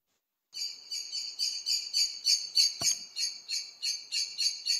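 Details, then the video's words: Common blackbird flight call, given when fleeing and flying off: a thin, high, monosyllabic note repeated about three times a second in a steady series, with one brief knock partway through. "este é um som que o melro faz quando vai a fugir a voar"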